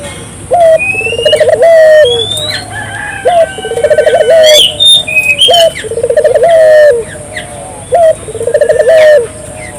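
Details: Barbary dove calling vigorously (gacor), played to prompt local doves to call: low cooing phrases of rapid beaded pulses ending in a drawn-out falling note, repeated every few seconds, with high thin chirps of small birds overhead.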